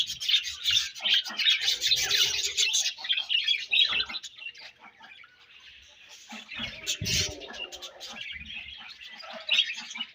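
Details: Several budgerigars feeding and exchanging food; dense, busy chatter of high, scratchy chirps and warbles for about four seconds, then quieter scattered chirps, a brief broadband rustle near seven seconds, and renewed chattering at the end.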